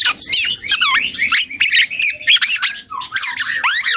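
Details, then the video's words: Juvenile black-and-yellow oriole babbling its developing song, a loud nonstop jumble of wavering whistles, downslurred squeals and scratchy notes. "KEPODANG HUTANG muda||belajar ngoceh"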